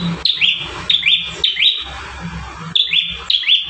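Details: Bar-winged prinia singing energetically in a master recording for caged birds: paired high whistled notes, each opening with a rising flick and dropping into a level tone, delivered in quick bursts separated by a brief pause.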